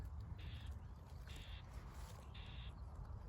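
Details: Common Whitethroat, male and female near a bramble with fledged young scattered about, agitated by a nest-checker, gives three harsh, buzzy churrs about a second apart, each under half a second, over steady low wind rumble.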